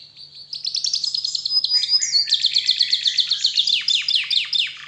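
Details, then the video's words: Canary singing as a lure for other canaries: long rapid trills of high repeated notes, steady and loud, with the pitch stepping up midway into a dense rattling roll. "PANCINGAN SUARA KENARI"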